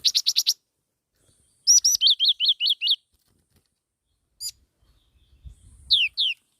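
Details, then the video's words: Black-throated laughingthrush singing: a fast burst of clipped notes, then two high notes and five clear arched whistles. A lone note and faint rustling come after, and two downward-sweeping whistles close the clip. "Tiếng chim chi chi mào mồi hót"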